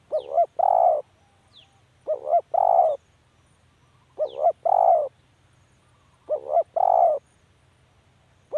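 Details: Spotted dove cooing steadily, four full phrases of a doubled short coo and a sustained mellow croo, spaced roughly two seconds apart; tiny falling high chirps from a small bird occasionally heard.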